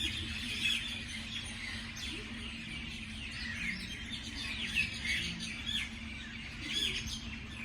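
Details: Morning birdsong: many high, quick chirps and tweets overlapping, with a few brighter, louder notes standing out about once a second, over a faint low hum.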